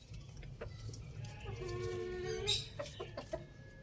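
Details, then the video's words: Rooster crowing loudly: a drawn-out harmonic crow rising and holding for about a second and a half, ending in a sharp burst, with low background rumble and a few clucks. "Rooster Crowing Sound effects | Adorable Rooster Crowing Loudly"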